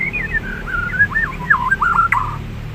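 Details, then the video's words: Bird singing a wavering, whistled warble that dips and rises in short linked phrases, with a low steady background rumble. "Bird Chirps | Stress Relief | Relaxing Birds Sounds"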